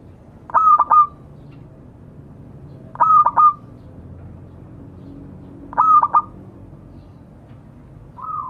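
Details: Zebra dove of local stock calling out to others. Three soft cooing phrases arrive about every two and a half seconds, each a brief stutter of notes ending in a held mellow tone, then a fainter note at the end.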